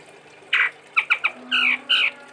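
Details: Chestnut-rumped babbler from Sumatra, a kept songbird, in a melodious forest-style song: a harsh burst, three quick clipped notes, then two longer buzzy phrases.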